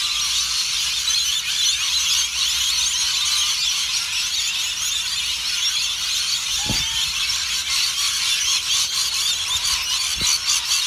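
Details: Rainbow lorikeet (Trichoglossus moluccanus) flock at Currumbin Wildlife Sanctuary keeps up a dense, shrill screeching chatter without pause; two brief sharp knocks stand out near the end.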